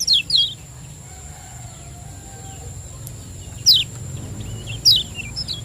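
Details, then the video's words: Lemon-bellied white-eye from Lombok, a 'ciak joss' lure recording meant to prompt other birds to sing: three sharp, high, downward-slurred chirps, widely spaced, over a steady faint high electronic whine and low rumble. "Ciak Joss Kecial Kuning Gacor • Cepat Rangsang Bunyi Pancingan Kecial Kuning Lombok Juara"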